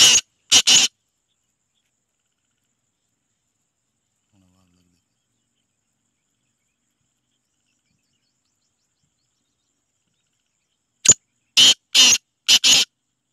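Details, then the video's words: Black francolin (kala teetar, black partridge) song: two harsh rasping notes open the recording, then a long silence, then a full phrase of about five scratchy, grating notes in quick succession; no other sounds. "Kala teetar ki awaz | Black franclion singing | Black partridge"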